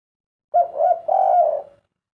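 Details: A single 'kuk 3' phrase from a spotted dove: two short, low, mellow hoots run together, followed by a longer, steady third coo that fades out. The background is quiet.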